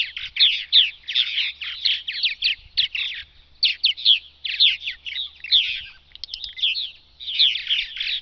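Purple Martins chatter in a steady stream of gurgling, croaking chirps, several birds overlapping with no pause, all fairly high and rough-edged.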